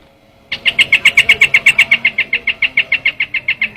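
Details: Trao trảo bird lure sound: after half a second of quiet, a steady run of about twenty bright, clipped chirps repeated four times a second, softening slightly toward the end.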